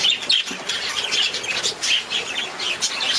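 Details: Budgerigar chatter: a lively stream of warbled, squeaky chirps with short, sharp whistled notes mixed in, all packed closely together.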